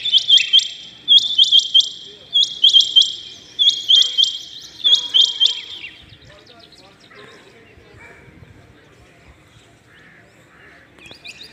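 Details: Rain quail calling early in the morning: five loud clusters of sharp, high, metallic double notes in the first six seconds, followed by quieter scattered chirps and low background noise.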